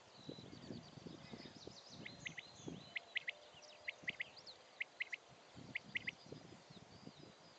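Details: Common quail (Coturnix coturnix) male giving its sharp, liquid three-note 'wet-my-lips' courtship call several times, recorded 21 June 2011; a fainter second quail answers in the background, with low wind rumble.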